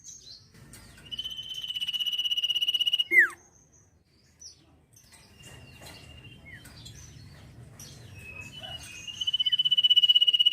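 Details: Sirpu in lively 'ngetir' trilling song: a long, steady, buzzy high trill, then a quick downward-swooping whistle. A quieter stretch follows with soft scattered chirps and background rumble, before the pulsed trill returns loudly at the end.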